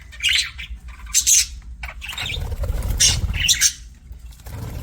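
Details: Budgies give loud, shrill chirps in separate bursts with a broad rustle between them, perhaps wing flapping, over low background noise.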